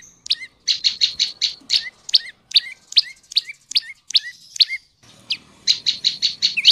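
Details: Tailorbird (prenjak lumut) song used to lure males and females into singing: rapid series of sharp, high chirps, some ending in a short downward hook, delivered in fast bursts broken by a brief pause near five seconds.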